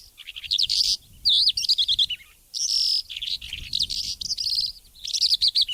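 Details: Calandra lark singing an intense, varied and very long song of high chirps, trills and slurred whistles, jumbled together with hardly a pause, in Portugal.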